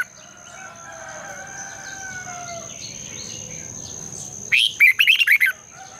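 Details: Red-whiskered bulbul song for morning training in the long double twisting style: several seconds of quiet background with faint tonal sounds, then one quick, energetic phrase of six warbled notes near the end, over a steady high whine.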